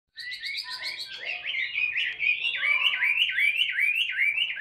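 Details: Caged Chinese hwamei, a fighting bird of the tail-spreading style, singing while carried in the hand, in the ngũ trường song style from Vietnam: rapid loud whistled phrases, rising slurs then repeated dipping, looping notes about every third of a second.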